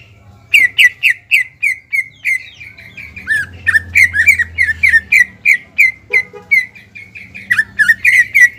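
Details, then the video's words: Greater green leafbird, caged, singing to provoke a rival: a dense stream of fast slurred whistles and harsher squawky notes, with a low hum and a brief mechanical rattle in the background. "CUCAK IJO GACOR MEMANCING BIRAHI AGAR CUCAK IJO LAWAN JAMTROK HIPER TETAP TERKUNCI"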